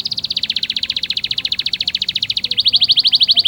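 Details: Canary training song for young birds: a rapid rolling trill of even pulses holding a steady pitch, then switching to a quicker series of sharper, higher repeated notes.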